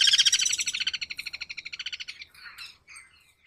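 Guira cuckoo giving a fast, high run of rattling notes, roughly ten a second, that fade over two seconds, followed by a few faint chirps.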